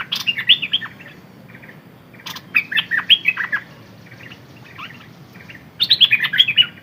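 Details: Caged decoy Red-whiskered bulbul giving lively chirpy phrases of short slurred whistles, three bursts separated by quiet gaps, some softer notes between them.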